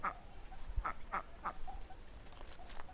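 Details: Muscovy duck calling with brief, rough quacks, four in quick succession and then softer, scattered notes, over a steady low hum.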